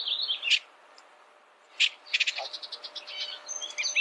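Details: Bullock's oriole giving a harsh chattering note, a pause, another rasping burst, then a run of rapid, high, clipped chirps and short whistles to the end.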